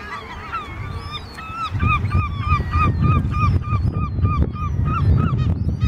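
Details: Swimming swan cygnets give clear, high whistled peeps, repeated about three times a second in a steady series, over low rumbling background noise.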